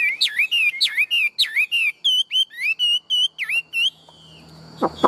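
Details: Caged Chinese hwamei, tame and big-bodied, singing forcefully. Loud looping whistles with sharp downward dips repeat about twice a second, then steady level whistles. A short quiet spell ends with faint clicks.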